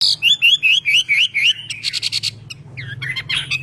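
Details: A Chinese hwamei being trained to sing: repeated rising slurred whistles about five per second, then a burst of buzzy chatter and varied sharp notes, over a low hum.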